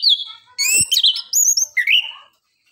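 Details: Orange-headed thrush in full song as a lure: a rich whistle, then a rush of varied, twisting high notes and chattery elements, closing with a lower slurred whistle, all in under two and a half seconds.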